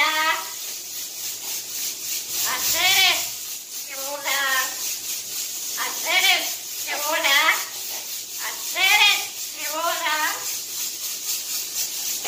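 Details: Cuban parrot singing La Guantanamera: warbling, harmonic-rich phrases of bent, wavering notes come in bursts every one to two seconds over a steady background hiss.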